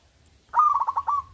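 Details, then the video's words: Local zebra dove, a loud-voiced singer used to lure lazy doves into singing: a single phrase of quick, bubbling coo notes in a stuttering run, trailing into a drawn-out final note. "perkutut lokal gacor Suara Besar||♡ 100% SUPER MANJUR UNTUK PANCINGAN PERKUTUT Malas bunyi.!!"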